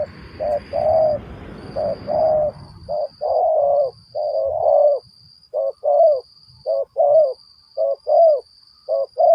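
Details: Spotted dove call used to lure doves for trapping, a run of short soft low coos repeated about once a second. A rustling noise at the start fades, and a faint high steady tone continues throughout.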